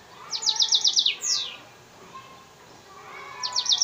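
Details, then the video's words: F1 African singer × Mozambique serin hybrid, Souk Ahras: a quick trill of high repeated notes ends in a falling slurred note, followed by a pause and the start of another high trill, with faint lower background sounds. "Hybride F1 chanteur d Afrique x serin Mozambique يخدم تغريد"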